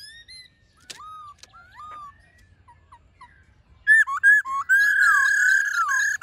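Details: Black-throated laughingthrush singing in the forest-voice style used to stir up newly caught wild birds: soft, separate whistled notes at first, then from about four seconds a loud run of clear, bending whistles with rich overtones.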